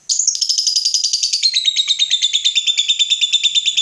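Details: A fighter lovebird, roused by a rival, bursts into a ngekek after a sharp opening note: a rapid, pulsing chatter that slides gradually lower in pitch across a few seconds.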